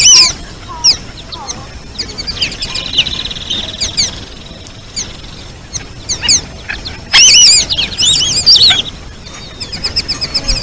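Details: White-faced Whistling Duck, known as irerê or marreca-viúva, giving sharp high whistled notes in scattered bursts, with several overlapping callers and a dense, loud cluster of rising-and-falling whistles toward the end.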